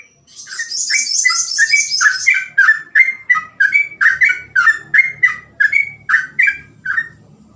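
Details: Energetic sooty-headed bulbul song kept for training other bulbuls: a dense high chatter at the start, then rapid repeated short warbled whistles, roughly three each second, each dipping in pitch, running right through.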